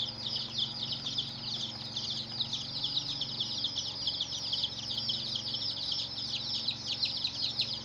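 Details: Group of colored baby chicks giving high, thin, descending cheeps in a crowded, continuous chorus, accompanied by a steady low hum.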